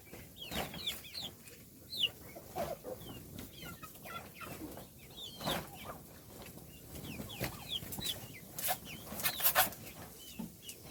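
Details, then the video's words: Several chicks chirping while fed; steady stream of short high falling peeps throughout, mixed with frequent pecking taps and scuffling. "صوت الدجاج // little chickens chirping SOUNDS"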